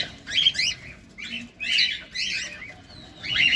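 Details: Feeding cockatiels give a few drawn-out, buzzy squawks separated by short pauses, each harsh and noisy, over a faint background hum.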